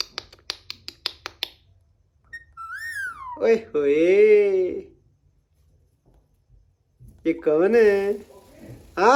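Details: Talking green Alexandrine parakeet: a run of sharp clicks, then a rising whistle slurring downward into long, raspy, speech-like phrases, a pause, and more harsh talking syllables in a small room.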